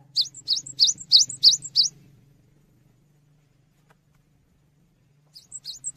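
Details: Cinereous tit song recorded as a tutor for songbirds: a fast burst of six strident rising notes, a long pause over a steady low hum, then a softer phrase starting again.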